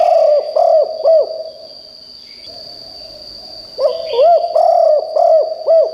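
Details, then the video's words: Spotted dove decoy singing loudly enough that wild birds in the forest answer. Rounded, rising-falling coos in two phrases with a quiet gap between, plus a brief faint higher chirp, over a steady thin whine. "นกเขาใหญ่คับ birds - เสียงนกร้องแรงมากจนนกในป่าร้องตาม"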